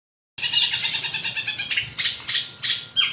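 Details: Long-tailed shrike singing a lively, full song rich in mimicked phrases: a dense run of harsh, buzzy, harmonic notes repeated quickly, then sharper rasping bursts about every half second toward the end, over a faint low hum.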